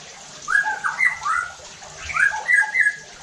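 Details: White-rumped shama lure song meant to raise a rival's excitement: two bursts of rich, tumbling whistled notes, sliding up and down, separated by a brief pause, with faint hiss behind.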